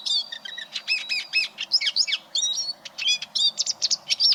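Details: Eurasian siskin, recorded as a master song for competition canaries, delivering a lively stream of high twittering notes, upslurred whistles and short chirps in quick, uneven succession.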